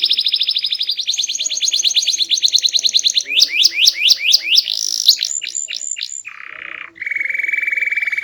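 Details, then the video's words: Varied song of a loud, sweet-voiced small canary: a long rapid trill, a run of rising and falling whistled swoops, then two low buzzy rolls. "Burung Kenari Gacor, Body Kecil Suara Keras Merdu Bervariasi"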